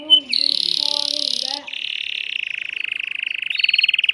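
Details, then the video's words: Male canary, caged and excited, singing to stimulate a female for breeding; a loud buzzy trill over faint lower tones, followed by a steady rolling trill that speeds up toward the end. "تغريد ذكر كناري هائج يريد تكسير القفص يحفز الأنثي لتزاوج"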